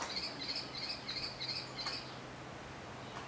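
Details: Juvenile common kestrel begging for food from a cemetery tree, giving a quick run of short, high, scratchy notes about three per second for two seconds before stopping, over quiet outdoor background hum.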